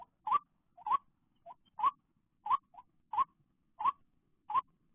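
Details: White-breasted waterhen after rain, calling during bird trapping, when many appear, especially late afternoon; a rising, clicky two-part note repeated every 0.7 seconds, each preceded by a short softer note, in a quiet setting.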